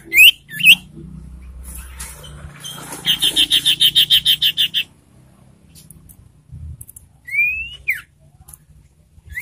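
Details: Ashy tailorbird lure call, used to provoke birds and bring them into breeding condition: two quick whistled upslurs, then a fast dry trill of about a dozen even notes, ending with two more rising whistles.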